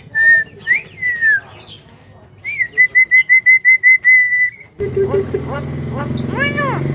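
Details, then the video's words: Mimicking Javan myna whistles clear, pure notes, a long level whistle, then a rapid train of identical short whistles, followed by louder bent and arched calls over a humming background. "BURUNG JALAK KEBO BISA BICARA SANGAT BAGUS DAN PINTAR"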